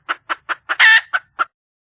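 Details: Red junglefowl hen in the wild calling for a male: four quick clucks, a loud scratchy squawk, then two more clucks.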